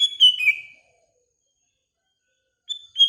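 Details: Morning phrase from a sooty-headed bulbul: bright slurred whistles falling in pitch, then after a silence the opening notes of the next phrase.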